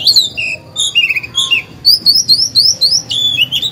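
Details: Caged oriental magpie-robin singing to provoke other birds: clear sliding whistles, then a quick series of repeated high upward-slurred notes about four per second, loud and close.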